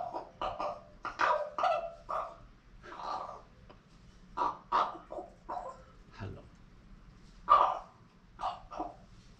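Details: Female pet raven that has lately begun making odd noises instead of her usual full-volume squawking. A rapid, irregular string of harsh, croaking syllables, some gulping and hoarse, with a person talking nearby.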